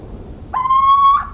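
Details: Little owl singing in the countryside of central France on 17 March 2019: one clear, mewing whistled note, sliding up slightly and holding steady for about two-thirds of a second, with rich overtones, in near silence.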